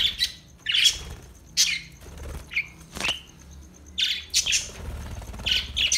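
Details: Budgie, an Australian parrot, uttering bright, squeaky chirps in clusters every second or so, some slightly buzzy.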